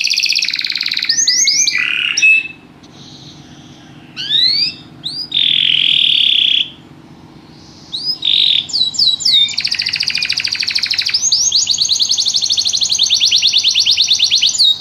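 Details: Canary song in bursts: quick trills and rising whistled slurs broken by short silences, a loud sustained buzzy note, then a long unbroken rattling trill of rapid sweeps filling the last several seconds.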